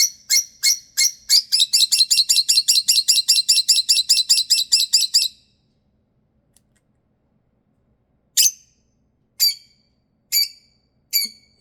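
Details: A pet lovebird, female, throwing a bedtime temper tantrum when she wants to go to bed: a rapid burst of shrill, harsh chirps, about twenty-five in five seconds, then silence and four louder single screeches about a second apart.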